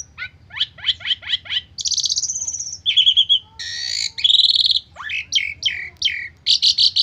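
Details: Asian pied starling in full, stressed lure song: a rapid series of falling chips, a long rasping whistle, a pulsed trill, a loud buzzy burst, sweeping slurred notes and closing harsh bursts.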